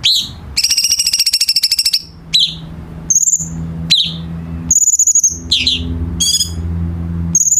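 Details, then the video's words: Bulbul known as cucak cungkok, recorded as tutor song for captive birds: a long rapid buzzy trill, then high whistles and downslurred chirps, with a low hum in the background. "KICAU BURUNG CUCAK CUNGKOK"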